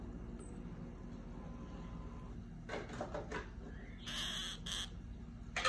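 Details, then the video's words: Harsh, grating screeches from a pair of orange-fronted parakeets arrive late in the recording as two close bursts, preceded by a few quieter clicks and rasping notes. "Pareja de periquito frente naranja atolero"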